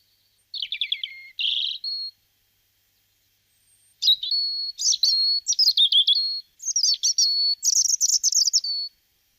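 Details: A European robin sings in Guadalajara, Spain, February 2010: a short descending trill and warble, a pause, then a long, rich run of tumbling high notes, sharp twitters and thin sustained whistles with no other sounds.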